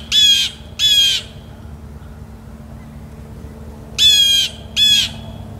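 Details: Blue jay recorded outdoors in real time gives harsh, nasal jeers in two quick pairs, each call about half a second long, with a pause of nearly three seconds between pairs, over a faint low background hum.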